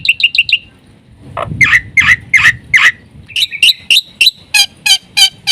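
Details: Black-winged myna singing a full, varied repertoire as a training lure for other mynas: quick whistled chips, rasping downslurred calls, mixed squawks, then evenly spaced sharp notes.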